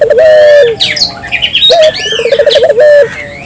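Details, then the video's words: Turtle dove calling freely to spur local doves on: a long low coo, then a short note, a quick bubbling trill and another long coo, with swooping high whistles from other birds in between. "suara burung puter gacor"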